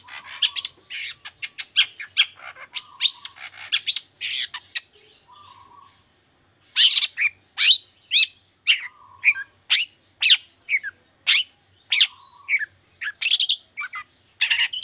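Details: Long-tailed shrike singing the 'toet toet' style to spur other shrikes into song: rapid stuttering chatter over a low buzzy drone, a short pause, then sharp whistled and harsh notes repeated about twice per second.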